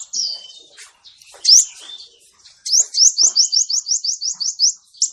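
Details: Male sunbird, song used as a trapping lure: a few sharp, high scattered notes, then a fast, even string of about twelve identical rising whistles, roughly four per second, thin and piercing.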